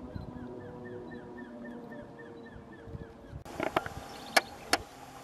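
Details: A single White-bearded antshrike (Biatas nigropectus) calls at a roadside in Iguazú National Park, Misiones, on 23 August 2018, giving about ten clear, down-slurred whistled notes, roughly three per second, before noise and several sharp knocks.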